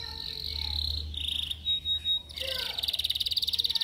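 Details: Caged yellow canary singing during training: a buzzy trill around 4k, a clean whistled note, three loud swelling phrases, then a fast regular rattling trill to the end.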